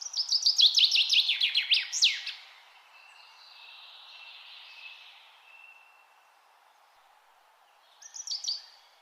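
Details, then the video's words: A bird sings a fast, high, bright phrase of rapid descending notes for two seconds, then a faint trill and a brief reprise near the end. "Birds in nature |peaceful sound"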